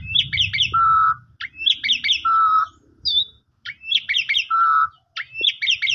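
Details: Asian pied starling (jalak suren) song used as a lure for a sulking or stressed bird: repeated phrases of quick rising chirps followed by a long steady whistle, about every one and a half seconds, with low background hum.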